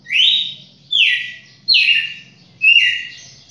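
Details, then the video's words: Red-cowled cardinal, called a champion, delivering four loud slurred whistles in quick succession, each starting high and gliding downward before trailing off, with a faint low hum behind. "galo-de-campina campeão"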